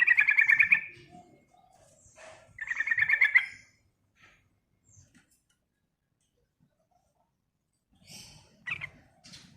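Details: Yellow-vented bulbul, an actively singing bird used as a lure for other birds, delivers two short, harsh rattling bursts of quickly repeated notes, then near silence and a faint later chirp.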